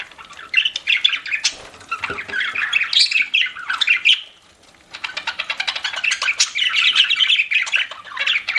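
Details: Pet budgerigar chirping while eating: a near-continuous run of scratchy, warbled chirps and squawks, rapid and uneven, broken by a brief pause midway, with faint crunching clicks underneath.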